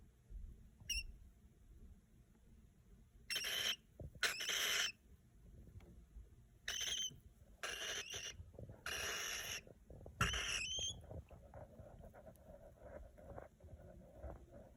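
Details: Baby pet cockatiel making raspy, hissing broadband bursts, each under a second long, about six scattered across fifteen seconds, with a thin high whistle near the start and faint household clicks between calls.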